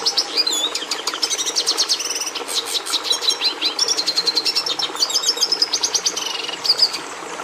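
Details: Red siskin (Carduelis cucullata) in full song, a long run of fast chattering chirps and buzzy trills repeated at a quick, even pace, high and sweet over faint background hiss.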